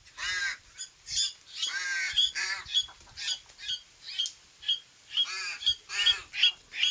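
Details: Pet koleto and crows together: loud, grating, nasal squawks in an uneven series, some long and harmonic-rich, others short and clipped, with faint squeaky notes between.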